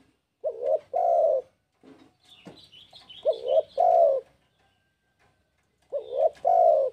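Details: Spotted dove in breeding condition calling a rival: two mellow two-part coo phrases, each a quick hooked note and a drawn-out coo. A thin, high twittering from another small bird fills the gap between them.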